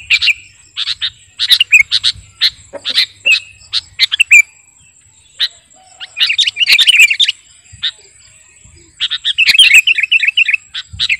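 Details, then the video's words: Vigorous sooty-headed bulbul (kutilang garuda) song used for luring and training birds: groups of sharp, rolling chirps separated by short silences, with a bubbly warbled phrase near the end and a constant high tone. "Burung KUTILANG GARUDA Gacor..!! cocok buat pikat masteran"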